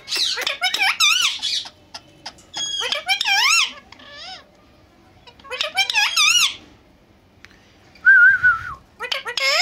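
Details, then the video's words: Indoor Indian ringneck parakeets talking in Urdu or Hindi as a pair: several shrill, warbling speech-like phrases with quick wavering pitch, separated by pauses, plus a short flat whistle near the end. "Ringneck Talking Parrot Speaking Face To Face In Urdu Hindi"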